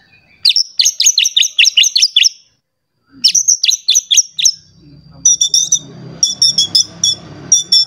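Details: Agitated white-rumped shama seeking a rival, repeating very high rapid chipping notes in quick rhythmic runs of about eight, a brief silence between runs, with low rumbling noise late on.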